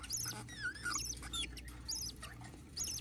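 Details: Baby budgerigar during hatching, squeaking with sharp high arched notes about every half second, plus a few wavering lower whines, over a steady low hum.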